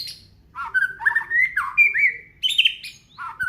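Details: Aceh white-rumped shama delivering a continuous, varied song of its isian repertoire: rich warbled and whistled notes rising and falling, with quick jumps between phrases.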